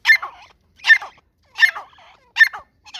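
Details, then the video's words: Grey francolin, known as white teetar, giving a loud call: four harsh, ringing bursts spaced under a second apart, each dropping off quickly, in otherwise quiet surroundings. "white Teeter ki awaz |Teeter ki voice |Teeter sound |Teeter ki boli |سفید تیتر کی آواز"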